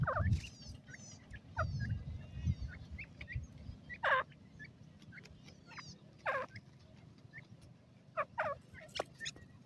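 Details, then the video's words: Golden ringneck pheasant chicks calling: short, high descending peeps and chirps scattered irregularly, with a few louder downward-sliding notes near the middle and end, over a low rumbling background. "golden ringneck pheasant chicks,ringneck dakhni teetat baby ki awaz"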